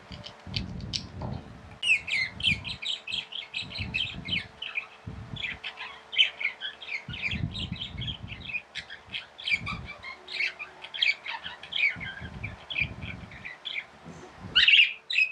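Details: Tame pet budgerigars chirp in a busy, twittering chatter of short, high notes, with bursts of low rumbling noise underneath and a louder squawk near the end.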